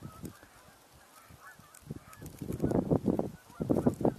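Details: Canada geese in flight in rain on 30 December 2023, with poor visibility. Several birds give a chorus of low nasal honks, about one a second, growing louder toward the end, over a soft hiss of precipitation.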